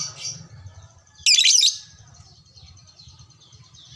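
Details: Lovebird, fighter type, responding to another lovebird with one long, grating, high screech lasting under half a second, amid soft twittering and a low rumbling background.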